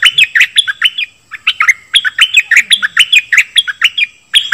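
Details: Dok Taeng bird song for training young birds and making them lively: a steady run of rapid, clear chirps and short bent whistles, barely pausing.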